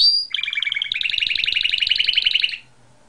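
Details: Singing canary: a brief high note, then a long fast rolling trill of even pulses lasting about two seconds before falling silent.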